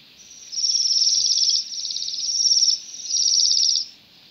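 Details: Waxwing calls in a rowan tree by a road in Pushkin, Russia, on a dull December day while the birds strip berries; three joined high, rippling trills, each about a second, against a quiet backdrop.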